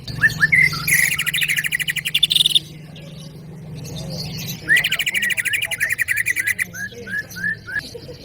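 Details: Greater green leafbird (cucak ijo) singing energetically: rapid trilled and rattling phrases with rising slurred whistles, a pause, then more fast repeated notes and rising whistles; steady low hum underneath.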